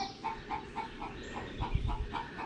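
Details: Backyard chickens at a coop in Richmond Hill, Georgia, near Savannah; flock of 15 hens, some laying eggs; hens clucking in a steady run of short, mid-pitched notes, about four a second, over low rumbling background noise.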